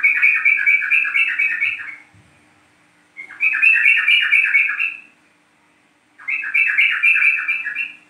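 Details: Lure song of the yellow-vented bulbul, East Java 'trucuk kebo' form: three loud gurgling, chattering phrases about two seconds each, repeated with roughly one-second pauses between them.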